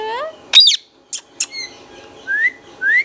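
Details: Green Indian ringneck parakeet kept as a pet, producing a quick harsh screech followed by two sharp clicks and then a few thin rising whistled notes, all brief and spaced out.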